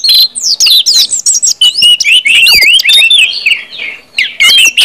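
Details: Orange-headed thrush delivering ngeplong song as a singing lure: quick series of wavering whistled notes and bright chips, about four per second, with a short quiet gap near the end.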